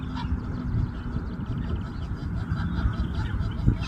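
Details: An Egyptian goose (Alopochen aegyptiaca) gives hoarse, nasal honks over a heavy low rumble.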